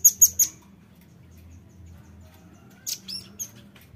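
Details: Velvet-fronted nuthatch calls used as a lure sound: a quick burst of three sharp, very high chipping notes, a pause with faint low background hum, then a few more high, thin notes near the end.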